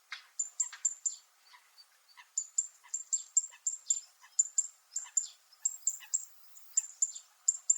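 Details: A fan-tailed warbler, or zitting cisticola, on Miyako Island, Okinawa, Japan, calling metallically: long runs of crisp high ticking notes, roughly three to four per second, interspersed with softer dry rasps and brief pauses.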